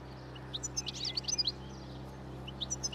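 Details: Wild European goldfinches feeding on last year's thistle seeds by a roadside as spring approaches, starting breeding song; thin high twittering notes in scattered bursts over a steady low hum.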